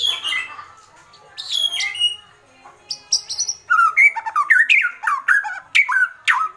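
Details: White-rumped shama, agitated, giving kretekan: varied whistles and squeaks, then a quick run of short downward-slurred notes repeated several times per second.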